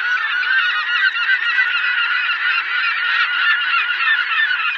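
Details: Gulls in a dense, continuous chorus of harsh, screeching calls, many birds overlapping with no pause, the noisy squawks crowding together throughout.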